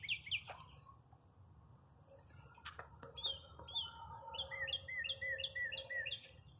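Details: In a parking lot in springtime, a bird opens with a few sharp high chirps, pauses amid clicks and knocks, then delivers a fast, steady series of bright, slurred chirps over low background hum.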